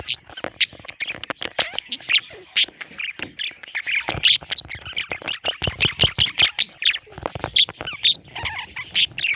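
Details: Young parrot chicks calling almost without pause, a dense run of harsh, scratchy chirps and squawks, some higher and sharper, packed closely over several seconds.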